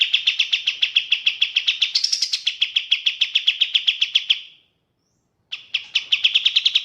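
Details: Sooty-headed bulbul delivering a fast, even trill of clipped chirps for over four seconds, briefly rising higher midway, then a short silence before another quick chirping burst begins; clean, quiet background.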